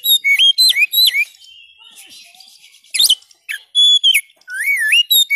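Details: Oriental magpie-robin, known locally as kacer, singing a loud, lively song meant to revive a bird that has stopped singing: slurred upward whistles, a lull of faint chatter, then rasping bursts and a long wavy whistle.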